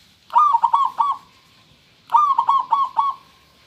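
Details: Local zebra dove singing a clear song: two phrases of rapid, rolling cooing notes around one pitch, each starting with a higher note and trailing off, about a second apart.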